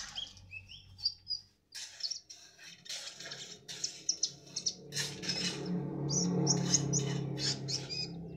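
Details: Sunbird in full, lively song, described as very chatty: rapid high thin chirps and short whistled notes, several per second in bursts, with harsh broadband rustles and a steady low rumbling hum through the second half.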